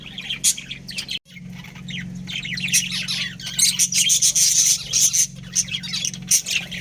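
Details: Budgerigars, a breeding pair kept as pets, chirping: a busy mix of short high chirps and squawky notes in quick irregular bursts, with a steady low hum underneath.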